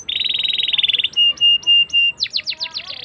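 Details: Singing canary used to coax young canaries into song: a dense buzzy trill, then four steady held whistles about a quarter second apart, then quick sharp downward chirps.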